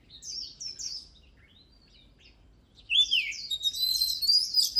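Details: Oriental magpie-robin song: a few soft repeated whistled phrases, a quiet pause, then a loud, dense stream of rising and wavering whistles continuing to the end.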